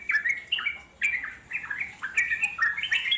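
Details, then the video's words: Wild Yellow-vented Bulbul song in the long, unbroken ngeropel style. Chattering, warbled phrases of quick rising and falling notes come in bursts roughly every half second, with a bright, bubbly tone. "puterin suara trucuk alam di jamin lasung nyaut NGEROPEL PANJANG"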